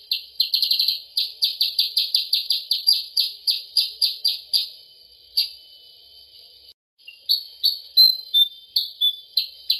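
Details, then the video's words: Sooty-headed bulbul lure call for attracting the bird: rapid runs of short, bright, high chirps, nearly three per second, broken by a brief pause before the run resumes, over a faint steady high tone. "suara pikat mp3 untuk burung kutilang sutra/percang"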